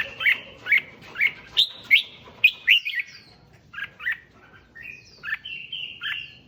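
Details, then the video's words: Red-whiskered bulbul song to rouse other bulbuls: a regular series of about ten loud chirping whistles, one every half second, then softer, drawn-out warbled phrases. "Tiếng Chim Chào Mào Kích Chim Lên Lửa Nhanh"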